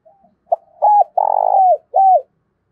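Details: Spotted dove used as a decoy, thổ đồng voice style, calling to provoke fighting: a single clear low phrase, a brief note, an arched coo, a long buzzy drawn-out coo, then a closing arched coo.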